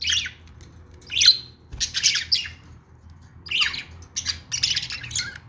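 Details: Budgerigar chirping: bursts of squawky, grating chirps with brief silent gaps, louder toward the end, with a soft low hum.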